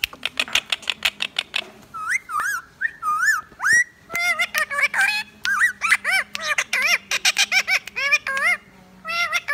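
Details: Pet Indian ringneck parakeet kept indoors, a talking bird that says words such as mian mithu and churi khani: bursts of rapid clicking chatter give way to harmonic, rising-and-falling whistled syllables repeated in quick runs.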